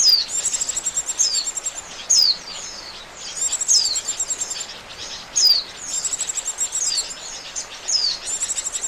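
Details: White-eye calls for luring birds into traps: pulsing high trills in repeated bouts, each bout led by a sharp falling whistle, roughly every one and a half seconds.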